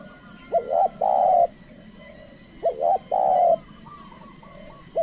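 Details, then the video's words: Spotted dove calling as a lure for wild doves, which stay away: two full soft three-note coo phrases about two seconds apart, and the start of a third at the end. "pikat tekukur ajaran memanggil burung liar"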